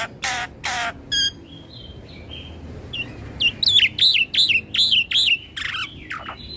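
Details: Black-winged myna singing to anger other mynas, nodding as it rolls: two buzzy rattles and a short trill, soft whistles, then a run of loud, slurred, looping notes about three per second.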